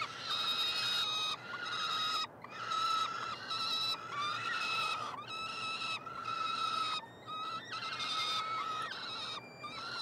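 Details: Peregrine falcon nestlings, three in a Montreal university nestbox, Quebec, call at feeding time on 21 June 2022; roughly second-long hoarse wailing notes come one after another with brief silences between them.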